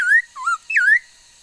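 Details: Female laughingthrush singing, 13 August 2021: a rapid string of three fluid whistled phrases, high then lower then a loud downward-swooping note rising at the end, under one and a half seconds.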